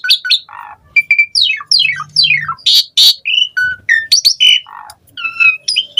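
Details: Asian pied starling in full, varied song, offered as a lure to get other starlings singing: a rapid mix of whistled notes, descending buzzy slurs, harsh squawks and bright chirps, delivered in short bursts with brief gaps.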